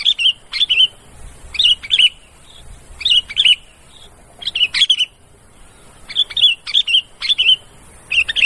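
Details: Sooty-headed bulbul giving noisy calls used as a lure to draw birds together. Bright, slurred chattering notes come in short bursts of two to four, repeated every second or so, with quiet gaps between.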